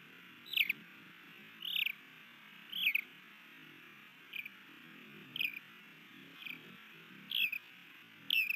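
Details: Osprey at a nest by Hellgate Canyon, Missoula, Montana, on 3 May 2020, as a new male attempts to mate with the female. Slurred whistled calls falling in pitch, repeated roughly once a second, with distant low rumble beneath.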